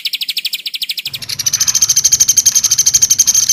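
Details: White-rumped shama training master with tembakan rapat fills: crisp, evenly repeated high notes that merge into a loud, fast, ringing rattle.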